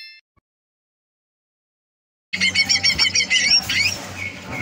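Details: Greater green leafbird kept for singing contests, a future-champion bird recorded 30 November 2022, bursts in after two seconds of silence with a rapid chain of bright, buzzy whistled notes over a steady low hum.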